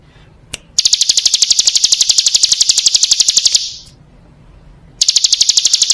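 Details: Lure recording of a female Bar-winged prinia calling the male: a long, shrill, fast-ticking trill of nearly three seconds fades out, then another rapid burst begins after a short pause.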